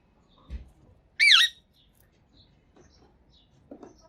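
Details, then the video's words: Talking green parrot from Pakistan that speaks Urdu gives a single loud, harsh, wavering squawk; a soft thump before it and quiet light knocking after. "Pakistani Green Talking Parrot Speaking Urdu"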